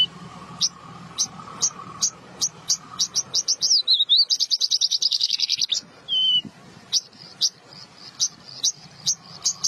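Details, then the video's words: Song of an Australasian bushlark: spaced high chips build into a fast, dense trill, followed by a short whistled note and more evenly spaced sharp chirps. "burung branjangan"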